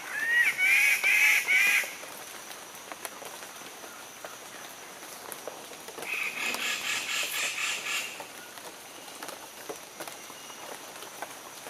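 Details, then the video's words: Standardwing bird-of-paradise (Semioptera wallacii) displaying, giving harsh, rasping bursts of rapid notes about two seconds each, separated by a pause, with faint forest insects humming in the background. "Standardwing Bird of Paradise"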